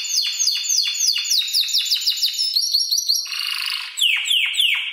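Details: Spanish Timbrado canary aged seven months, trained with electronic timbrado voices, gives a quick series of downward-sweeping notes, then a dense buzzy roll, ending with a few slower falling notes.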